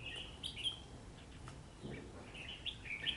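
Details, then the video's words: On a cold rainy day, a red-whiskered bulbul fighting a trap bird gives short, bright, warbled chirps at the start and end, with a quieter gap between them and soft rumbling background noise. "Bẫy đấu chào mào ĐINH CUI NGÀY MƯA RÉT"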